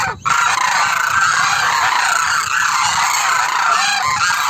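A large flock of Demoiselle Cranes calling at once: a dense, unbroken chorus of overlapping rolling, trumpeting croaks with a steady hiss behind.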